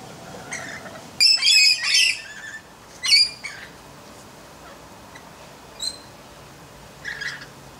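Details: Red-collared lorikeet seen close up, giving short bursts of shrill, rasping squawks, a dense cluster around the first two seconds and then a single harsh screech. Softer chirps and squeaks are scattered between the bursts over a quiet background.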